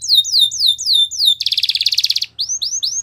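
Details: Belgian canary delivering repeated descending whistled notes, then a loud rapid buzzy trill, followed by short rising slurred whistles.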